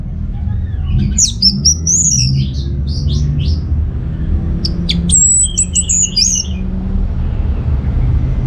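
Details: An orange-headed thrush in a lure and therapy recording for captive birds from north Bali sings two bursts of high, varied whistles and trills, quick and sweet, over a steady low rumble.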